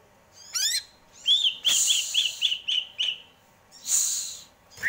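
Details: Greater green leafbird singing a quick high twitter, then a row of six short clear whistled notes at an even pace, with loud hissing noise bursts overlapping.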